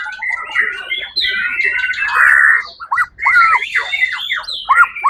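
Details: Competition-winning white-rumped shama, first at the Suara Agung contest on 1 October 2023, delivering loud harsh chatter followed by clear downslurred whistles and rising notes, with a brief pause before the second burst.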